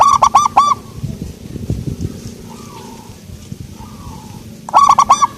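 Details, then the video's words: Local zebra dove singing: a burst of four soft, rounded cooing notes opens, then a quieter gap with low background noise, and a new phrase of cooing notes starts at the end. "perkutut lokal suara empuk"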